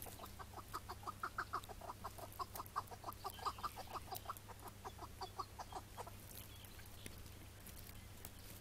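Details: Iraqi-variety chukar partridge calling on a May 2017 morning as it is caught: an even, rhythmic series of throaty chuck notes for about six seconds, then breaking off into noise, with a low hum throughout.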